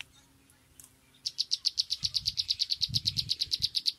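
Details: A sunbird gives a fast, steady series of high, sharp tsip notes, roughly seven per second, starting after a second of quiet and running to the end, over faint low rumble.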